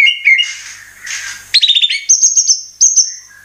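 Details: White-rumped shama, locally murai batu, singing as a lure to prompt song: opening whistled notes over a raspy noisy stretch, then a quick series of stuttered chips and high sustained whistles.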